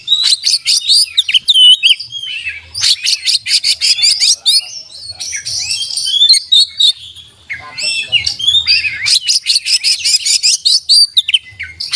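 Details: Oriental magpie-robin singing loudly and continuously, packed with learned filler phrases: rapid trains of sharp chips, squeaky whistles and scratchy chatter, the rattling bursts returning several times across the passage.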